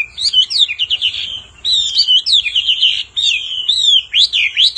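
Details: Singing male Hwamei excited by a calling female: bright, varied whistled phrases with quick upslurs and downslurs in bursts, with short gaps between them.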